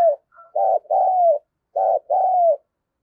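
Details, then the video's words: A captive decoy Spotted dove, used to provoke wild doves, gives low, mellow coos: a clipped note then a longer drawn-out coo, twice in quick succession, with no other sounds. "Chim Cu Mồi Thúc Và Gáy Gọi Bổi"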